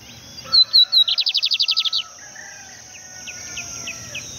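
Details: Lined seedeater singing by a river: a few clear high whistles lead into a fast, loud trill of about twelve rapid notes, then fainter scattered chips over a steady background hiss.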